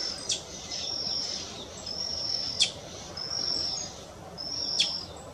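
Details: Brazilian tanager at Parque Municipal da Restinga do Guaraú, São Paulo, Brazil, on 3 June 2024: thin, high, drawn-out notes of about half a second, heard four times, with sharp clicks and a steady rushing background.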